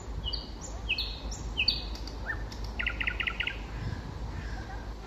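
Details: Springtime song of a common nightingale: several high whistles slurring downward, a brief gap, then a rapid rattling series of repeated notes, with steady low background noise.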